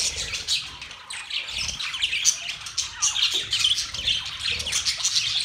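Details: Chirping budgies, Australian parrots: busy overlapping high chirps, squeaks and warbling chatter from a flock, without pause.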